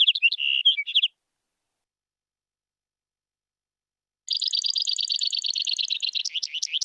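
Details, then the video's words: Brewer's Sparrow in spring sagebrush country sings a long, high, buzzy trill of rapid notes shifting in speed and pitch, easily mistaken for a cricket. A brief burst of other chirps comes before a pause. "so that was the brewer sparrow that many of you might actually mistake for a cricket."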